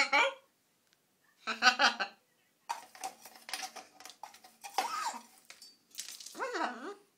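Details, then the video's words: A young blue-and-gold macaw, just over 12 months old, talks to himself in a small room, giving bursts of human-like giggling and laughter mixed with mumbled talk and repeated "hello Rainbow" greetings, a few seconds apart. "Macaw Parrot Rainbow Laughing Giggling Talking to himself"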